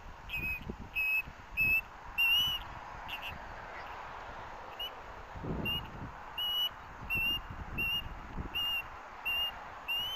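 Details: At the Hellgate osprey nest in Missoula, Montana, 18 August 2024, a chick wanting the fish a parent brought gives spaced, high, slightly rising whistled chirps, roughly every half second, with some breaks and low background rumble.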